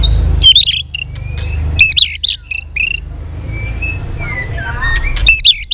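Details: Competitive song of a caged white-rumped shama flicking its tail: loud clusters of high, ringing, swept notes with gaps between them. Faint thin whistles and chatter fill the pauses.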